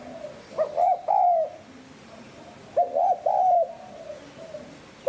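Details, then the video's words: Spotted dove cooing in the 'hạp bổi sát bổi' voice used to lure wild doves: two phrases of stuttered notes running into a long mellow coo, with a quiet background and the start of a third. "Tiếng Cu Gáy GIỌNG HẠP BỔI SÁT BỔI"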